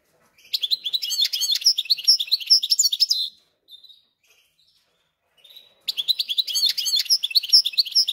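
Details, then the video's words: Hybrid goldfinch × canary, kept in a cage and settled in after a few days, delivers two bursts of fast, varied twittering warble separated by about two seconds of near silence with faint notes. "смотрим слушаем как поет гибрид"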